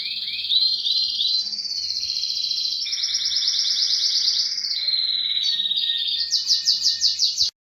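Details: Spanish timbrado canary singing a continuous run of rolling, metallic trills that shift speed and pitch, ending in a faster series of rhythmic pulsed notes before stopping abruptly.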